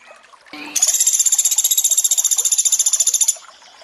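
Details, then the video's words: Sunda pygmy woodpecker calling over a flowing-water background made for bird training. A short rising note leads into a long, rapid, high-pitched chattering trill of steady, regularly spaced pulses. "Masteran untuk sogon tembakan mewah pelatuk beras + suara air"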